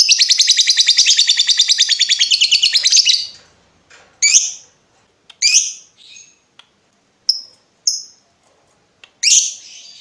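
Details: Lovebird trilling for tutoring other birds: a three-second high, buzzy, rapid trill, then scattered sharp chirps and short squeaky notes separated by silences.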